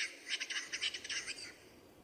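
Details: Western capercaillie at a lek during courtship, early 2000s, recorded on film. A fast run of about ten dry, raspy, hissing scrapes comes in quick pulses over one and a half seconds, then fades into quiet background.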